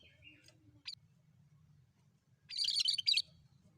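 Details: Bulbul (cucak kerinci) recorded as a bird lure: a brief high whistled note and a sharp upslurred chip, then a fast burst of squeaky, chattering notes under a steady low rumbling background.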